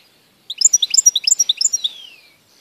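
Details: European goldfinch, 11 May 2014; a rapid tinkling twitter of short bright notes lasting over a second, ending in a sliding descending tail.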